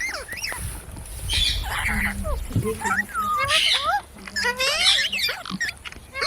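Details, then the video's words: Pet parrot talking and mimicking human speech, with a run of quick bending whistled notes and scratchy chatter, some hoarse bursts and a low steady hum beneath. "Talking parrot video| Parrot sounds videos Compilation | mitthu mitthu | parrot voice"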